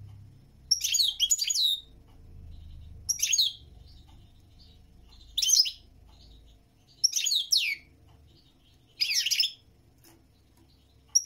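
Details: European goldfinch singing in short, bright twittering bursts of liquid trills and buzzy notes, about five phrases spaced roughly two seconds apart, with quiet gaps and a faint low hum between them.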